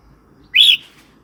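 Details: Red-whiskered bulbul, a song used to provoke new or wild birds and to teach young birds; one short, clear whistled phrase sweeping up then gently down, lasting a quarter second, against a quiet backdrop.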